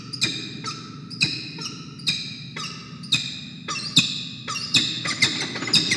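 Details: Peregrine falcons at a nest at dawn, about 6:33 AM on 28 November 2021, a pair bonding while a young bird calls outside: harsh repeated squawking calls, roughly every half second, with broad rasping harmonics and low background rumble.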